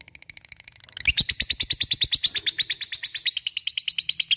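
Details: Lovebird singing in the ngekek style rendered 'cik cik cerrr': soft ticking notes, then from one second a loud, rapid, even chatter of shrill metallic pulses, about eight per second, continuing without pause.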